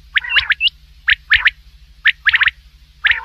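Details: Common quail (batair) calling at night: sharp, clipped three-note phrases, bright and quick, repeated about once a second with short gaps between them, over a steady low electrical hum.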